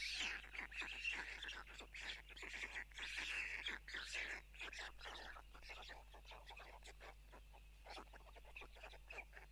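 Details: White storks at a nest in Tukums, Latvia, seen on a live nest camera at 04:54 on June 12; parents arrive and drop food for their chicks. Rapid dry clattering pulses come several per second, loudest early, then fade, with small bird chirps behind.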